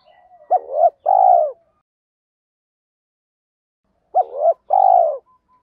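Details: Cooing of a spotted dove meant to trigger wild birds to sing back: two phrases roughly three seconds apart, each a quick looping pair of notes followed by a sustained, slightly falling coo, otherwise silence.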